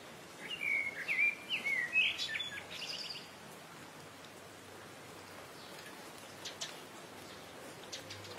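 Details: Streak-throated swallow, locally called Ababeel, from a nesting colony gathered at a rice canal of the Sukkur Barrage irrigation system in Sindh, Pakistan; a burst of bright, high chirping twitters for about three seconds, then faint scattered notes over steady background hiss.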